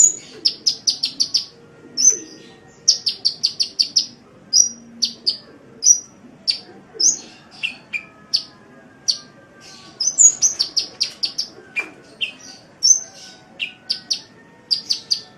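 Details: Sunbird song on a masteran track: repeated bursts of quick high chips mixed with sliding whistles and occasional lower notes, continuing busily for about fifteen seconds over a faint low hum.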